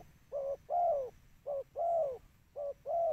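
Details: Spotted dove call used to draw in birds, with clear low coos in pairs, a short note and then a longer falling one, repeated about once a second in a quiet setting.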